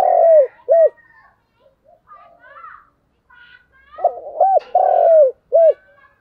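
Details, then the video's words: Decoy spotted dove cooing strongly. Two bursts of deep, hooked coo notes, with soft voices and other faint sounds between them. "Chim Cu Mồi thúc gù sung"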